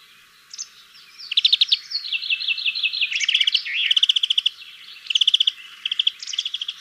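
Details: European Greenfinch song of rapidly repeated ringing trills and twittering phrases, rattled notes in fast bursts interwoven with sweeter chirps, sustained for several seconds.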